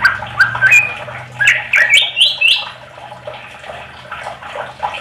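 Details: Greater green leafbird lure song meant to draw other leafbirds into singing; a quick run of rising whistled and chattering notes in the first half, fading into softer scratchy sounds with a low background hum.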